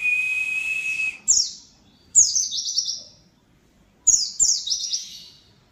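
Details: Oriental white-eye singing in a lively, full-repertoire style. A steady high whistled tone opens, then three bursts of fast, thin, buzzy trills, each sliding down from very high, spaced about a second apart. The background is quiet.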